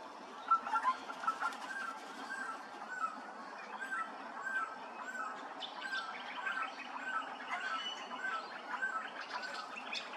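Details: Grey-crowned babblers at Hervey Bay, Queensland, keep up a busy chatter of squeaky, nasal chirps and short whistles from several birds at once, steady throughout with faint background hiss.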